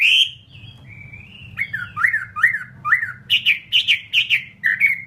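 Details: Chinese hwamei, a captive fighting bird, starts with a long whistle, then gives repeated swooping slurs and higher rippling phrases about two per second over steady low hum.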